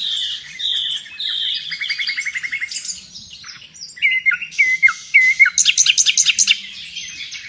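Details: Nightingale song, a bird in demand among Indonesian songbird keepers as a tutor for pet birds: steady whistled notes and a buzzy rattling trill, a pause, then downward slurs and a fast series of loud sharp chips.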